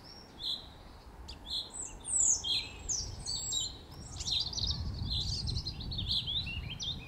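Common chaffinch song: bright, high chirps and quick descending trilled phrases, overlapping with other small birds, over a steady low rumble of background noise.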